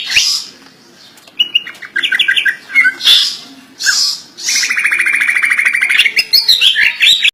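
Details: Kept greater green leafbird in full isian song: scratchy bursts, a quick series of clear whistles, harsh hissing notes, then a long rapid buzzing trill leading into loud high whistled slurs.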